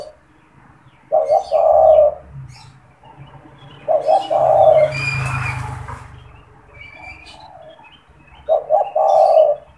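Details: Caged spotted dove used as a caller to lure wild doves. Three low cooing phrases, each two short notes and a longer rolling coo, are separated by a burst of rustling noise in the middle.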